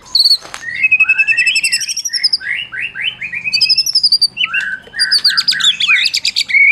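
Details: White-rumped shama of the Medan type, a prize-winning bird used as a tutor to stir mute shamas to sing. Fast run of slurred whistles and stepped chirps, ending in dense high twittering.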